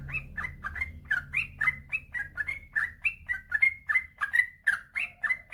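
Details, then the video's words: Yellow-vented bulbul singing a long run of notes, meant to prompt reluctant birds to sing: brisk repeated liquid phrases about three per second over steady low background noise. "suara burung trucukan gacor ropel panjang"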